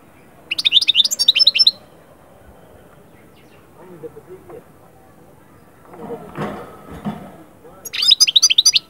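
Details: European goldfinch song, used to bring birds from moult into summer breeding condition: two fast, jingling twitter phrases at the start and end, with muffled low sounds between them.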